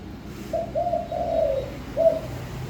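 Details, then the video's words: Spotted dove singing: a short phrase of soft, low hollow coos, a longer drawn-out middle note then a separate final coo, over steady low background rumble. "chim cu gáy hót cực hay"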